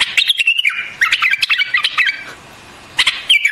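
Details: Singing white-eared bulbul, also known as white-cheeked bulbul: quick gurgling warbles and short whistles, a brief silence, then a fresh burst of notes over scattered clicks.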